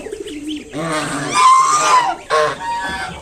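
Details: Mother swan guarding her five newly hatched cygnets sounds a drawn-out nasal honk with a thin ringing upper tone, followed by a short sharp call.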